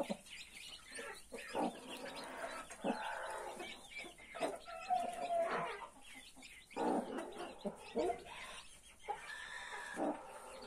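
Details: Mother hen with 31 newly hatched chicks: soft, low clucks come in short separate bursts, with a few faint higher peeps between them and quiet pauses.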